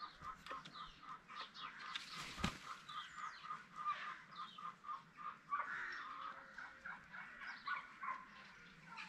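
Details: Spalding emerald peafowl at a peacock farm giving bursts of short honking calls over nine seconds, with a loud thump early on, a longer drawn note midway and other bird chatter.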